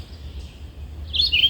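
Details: Red-eyed vireo singing in a tree overhead in migration-season woods on May 18: one short, bright warbled phrase after a faint high thread of sound, over a low rumble.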